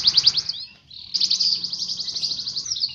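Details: Caged canary performing a dense, fast-paced song: rapid chirping trills high in pitch, broken by a short pause, then a long continuous buzzy trill.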